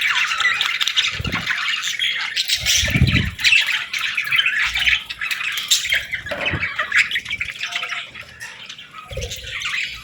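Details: Baby budgerigars chirping to ask for food, a continuous raspy, buzzy chatter of overlapping squawks, with a few low soft thumps from movement underneath.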